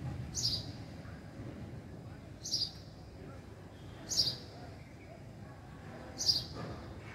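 A house sparrow gives four short, bright chirps, roughly one every two seconds, over a steady low rumble of background noise.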